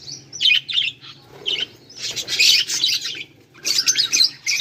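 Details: Several budgies, filmed 18 July 2023, chirp and warble in dense high bursts separated by brief pauses, with squeaky twittering notes.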